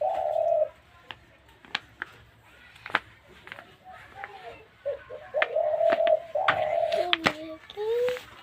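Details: Spotted dove, a captive bird the owner obtained from a seller and praises for calling, gives soft, low, drawn-out coos, some held, some falling, in irregular phrases among sharp clicks and knocks, with faint human voices behind.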